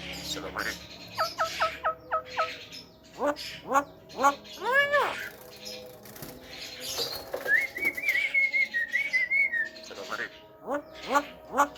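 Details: Talking Javan myna used to rile other mynas: ringing arched notes and quick ticking calls, a wavering whistled phrase in the middle, with wing flutters and faint voices underneath.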